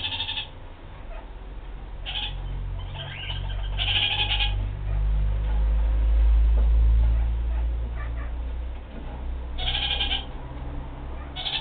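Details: Kakariki, a New Zealand parakeet, uttering short harsh chattering bursts in clusters, the loudest near four and ten seconds, against a heavy low rumble like wind or handling noise.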